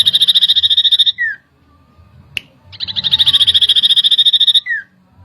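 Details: Common iora, stirred up by a lure, delivers two strong rattling trills of rapid identical pulses, each trailing off into a quick downward slurred note, with a short quiet pause between.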